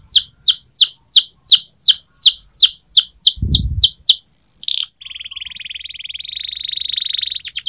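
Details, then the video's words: Canary training song with a regular run of sharp downslurred chirps about three per second, a short high whistle, then a rising buzzy rolling trill; one low thump partway. "Singing of canary_Training song canary//kenari gacor_setingan kenari//تدريب الكناري"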